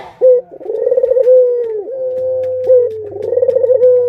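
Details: Captive Barbary doves, a parent with its chicks, kept as pets: a short clipped note, then a throaty rolling coo that settles into a long, steady drawn-out tone, and the pattern starts again, over a low electrical hum.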